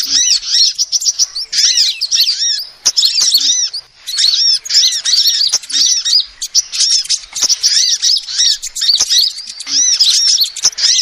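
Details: Lure recording of a female sunbird: excited runs of high, piercing chirps and curved, slurred notes come in bursts of one to two seconds, separated by short quiet breaks.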